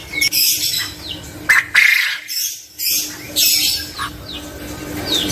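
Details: Male quail calling, with harsh, squawking notes and short chirps in bursts spread across the few seconds, over a steady background hiss and a faint low hum.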